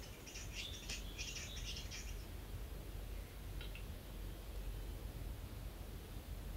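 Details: Western capercaillie cock displaying at a lek in Finland at first dawn, perched on a thick branch of a lookout tree to impress females; scratchy, clustered bursts of clicking for about two seconds, then a brief faint burst amid low rumbling background.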